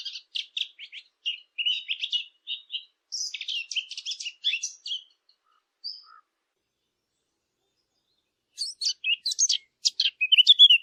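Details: Small birds chirping in bursts of high, quick notes, a busy run for five seconds, a short pause with a lone thin whistle, then a fresh flurry of sharp chirps toward the end.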